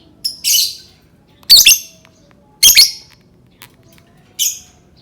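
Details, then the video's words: Lovebird singing, used to coax other lovebirds into song: a few loud rasping screeches, some double, spaced about a second apart, plus a faint click. "Suara burung lovebird cocok banget untuk pancing lovebird berbunyi"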